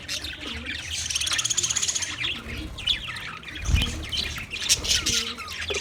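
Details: Budgerigar song from 14 March 2024, rapid chirping and scratchy warbling, a buzzy rattled phrase early on, and a low knock midway.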